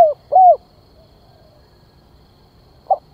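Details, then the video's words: Spotted dove calling as a decoy to lure wild birds: two low arched coos at the start, a long silence, then one clipped soft note at the end. "Tiếng Chim Cu Gáy Gọi Kích Mồi"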